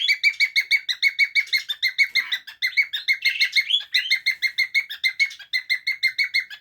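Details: Juvenile cockatiel starting to cackle (ngekek) and whistle, recorded 7 June 2024: long, brisk series of sharp, ringing chirps at a steady pace of about five a second, with a few brief gaps and a slightly louder, rougher patch midway.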